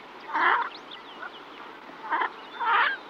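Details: Female yellow-billed pintail calling to her ducklings, recorded at medium-close range with a songbird nearby: three hoarse, nasal quacking bursts about two seconds apart, with faint thin high songbird notes between them.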